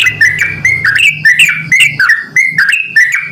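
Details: Male and female Javan mynas calling back and forth to each other; loud, harsh squawky notes around a grating tone, mixed with sharp clicks and chirps, given in rapid bursts several times a second, with a low hum beneath.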